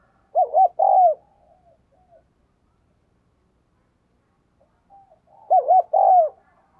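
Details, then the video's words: Spotted dove kept as a decoy, calling persistently to stir up other doves. Two bursts roughly five seconds apart, each with two short wavering notes and a drawn-out descending coo, then faint trailing murmurs. "Chim Cu Mồi Gù Thúc Bổi Nghe Hăng Nên Và Rất Siêng Gáy"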